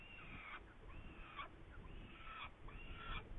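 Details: Saker falcon in Hungary, 8 May 2019, gives four harsh, rasping screeches about one per second, each slightly arched in pitch, over a low rumble of wind.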